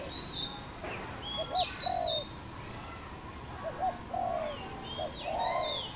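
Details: Wild dove from a pair recorded in Cambodia on 24 April 2020, giving low hollow coos in short bursts while other birds add high thin chirps and whistles above.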